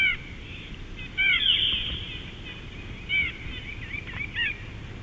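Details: Bald eagle recorded at Big Bear in 2018: a bright, high chittering series of quick piping notes, a longer run near the middle, then separate chirps toward the end, over a constant low hiss.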